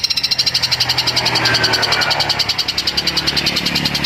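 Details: Long-tailed shrike, a fighter-type bird, mimicking sparrow calls: a fast, steady run of high, sparrow-like chirps, several each second, over a low rumbling background.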